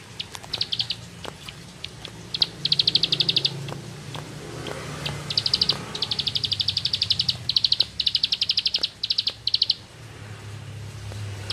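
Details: Bar-winged prinia from the rice fields in 'ngebren' song: bursts of fast, high, evenly pulsed notes, some long and unbroken, over a steady low hum and rustling background noise.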